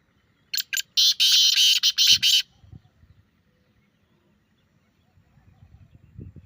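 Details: Teetar, the grey francolin, giving a loud grating call used to prompt a kept bird to respond: a quick run of about six harsh, ringing notes in a little over a second, then soft low rustles.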